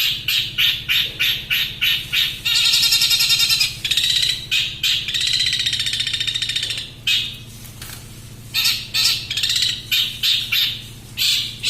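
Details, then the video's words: Long-tailed shrike singing fast and dense: quick bursts of sharp high notes alternate with long buzzy high trills, the pattern recurring for about twelve seconds over a constant low hum. "BURUNG CENDET MATERI TERBARU,SUPER GACOR+SPEED RAPET"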